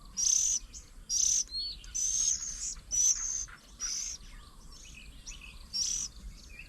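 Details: Oriental magpie-robin busy feeding young at a garden table in Nong Kwai, Thailand, June 2022; grating high-pitched rasps come in a quick run of five, then a pause and one more.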